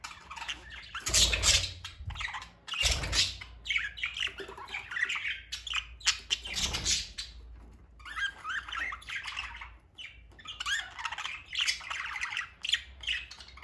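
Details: Budgerigars at feeding time chatter in busy, scratchy warbles and squawks, with a few broad harsh bursts.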